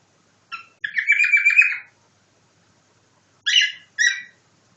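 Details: Cockatiel kept as a pet imitating a nightingale: one short note, then a rapid trilled phrase of about a second with evenly repeated pulses, a long pause, and two separate bright chirps.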